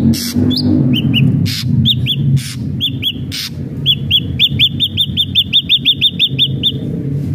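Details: Ashy drongo in vigorous song, used to stimulate captive birds to sing: harsh broadband bursts, then a long run of rapid, evenly repeated, slurred whistled notes, about a dozen in quick succession, over a low steady hum.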